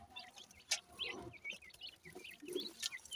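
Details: Grey francolin chicks, bred in Punjab, Pakistan, utter high, thin peeps and brief chirps at an irregular pace, with a few sharp clicks and soft rustles among them.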